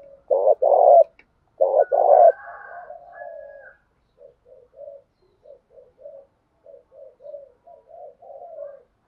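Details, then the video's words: Spotted dove kept as a stimulating decoy bird, cooing to train other doves' voices. Two loud phrases of short throaty notes ending in a long drawn coo, followed by a run of soft, brief coos from a quieter dove. "Tiếng cu thúc gù hay, Luyên giọng cu gáy mỗi ngày"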